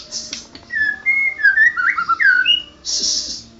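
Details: White-rumped shama, a champion murai batu, in rich varied song: a series of clear whistled notes rising and falling in pitch, bracketed by short harsh buzzy bursts, over a faint low hum.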